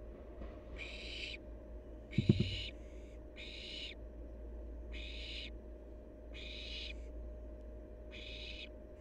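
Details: Wild fledgling barn owl, active at play, producing six evenly spaced harsh hissing bursts about every second and a half, with one brief clatter of knocks early on.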